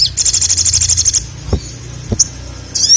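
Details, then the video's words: Little spiderhunter, locally sogok ontong, calling to a male; a fast, buzzing high trill for about a second, then a few sharp single chips. "SOGON GACOR MEMANGGIL JANTAN"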